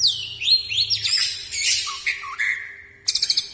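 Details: Song of a greater green leafbird, a rapid varied run of sweeping whistles rising and falling, a held level whistle, then a quick series of four bright clipped high notes at the end.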